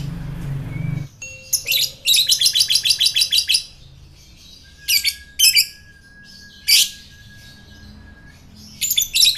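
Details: Fighter lovebird sound from Indonesia, used to provoke rival lovebirds: a low rumble at the start, then a rapid burst of high rasping chatter, scattered harsh squawks and a faint steady tone.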